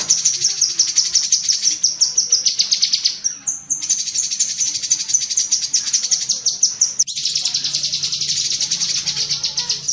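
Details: Rapid tembakan cerecetan chatter of a cucak kinoi bulbul, meant as masteran for pet birds: long unbroken runs of shrill, buzzy chips, with a short break near the middle before the chatter resumes.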